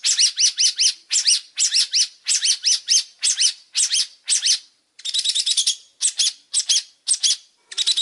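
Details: Long-tailed shrike chattering nonstop: rapid series of harsh chirped notes in tight groups of three or four, repeated without pause, then a quick buzzy run and more grouped notes.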